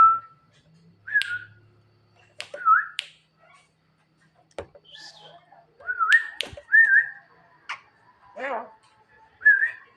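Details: Javan myna singing at night to call its mate: scattered short whistles that rise and fall, sharp clicks, a hoarse nasal note and long gaps between phrases.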